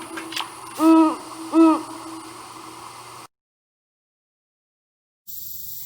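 Great horned owl giving two deep, soft hoots about two-thirds of a second apart, then silence and a faint hiss.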